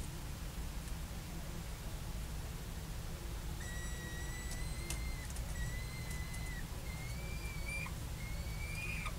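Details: Peregrine falcon in Heidelberg, 8 May 2021, about 17:38, giving four drawn-out, thin, level or slightly rising wails, each about a second long, over steady low traffic rumble.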